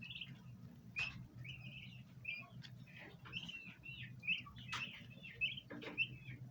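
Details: Young domestic bronze turkeys in a group peep while trying to eat plants in a basin. Soft high chirps and short whistled notes repeat irregularly above a steady low hum, with a few sharp clicks.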